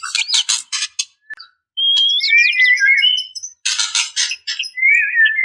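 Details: Female white-rumped shama calling to males: bursts of harsh broadband chattering alternate with clear whistled phrases that twist between mid and high pitch, with a brief silent gap after the first second.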